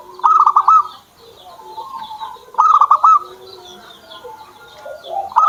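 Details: Kept zebra dove singing: two rapid stuttered coo phrases with a steady, loud rhythm, separated by quieter rolling coos, the start of a third at the end, plus faint background chirps.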